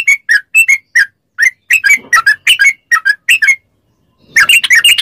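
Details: Yellow-vented bulbul chatter for training captive bulbuls: loud, clipped chirps in a loose repeating series, a short gap, then a dense overlapping burst of notes at the end.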